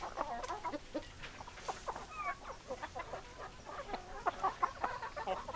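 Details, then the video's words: Hens produce a busy run of short clucks and chatter, with one brief slurred rising note partway through. "Chicken Sounds Noises Hens Clucking Roosters Crowing"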